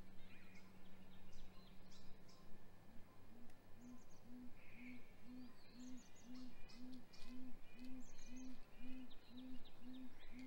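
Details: Great grey owl at its nest during hatch week, 7:26 am on 27 April 2020, as the male delivers prey to the female with much vocalizing: a steady run of about fourteen deep, soft hoots, two per second, over low hum and faint small-bird calls.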